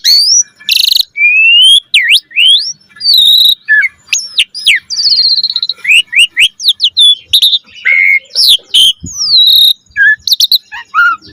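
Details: Asian pied starling (jalak suren) in a long, continuous, richly varied song: rapid chirps, sweeping up- and downslurred whistles, harsh squawky notes and trills strung together with barely a pause.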